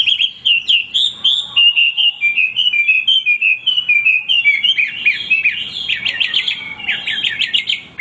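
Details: Continuous Hwamei song: a long run of rich, rolling whistled phrases wavering up and down, broken by quick stuttering bursts of high, rattling notes near the close.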